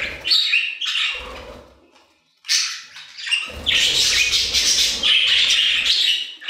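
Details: Aviary budgerigars produce bursts of chirpy, buzzing warble that break off for about a second and then resume in a loud, continuous chatter. Faint low thuds are audible.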